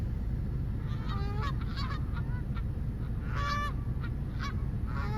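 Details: Several geese honking in loose overlapping bursts, with a cluster of loud nasal honks around the middle and scattered single honks elsewhere, set over a constant deep rumbling background noise.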